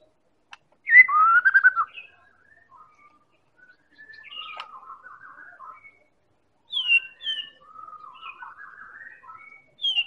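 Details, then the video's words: Medan-type white-rumped shama lure song to encourage other birds to sing: a loud rising whistled phrase, then quieter warbled runs and sharp high descending notes. "Real Pancingan Murai Batu Medan Super"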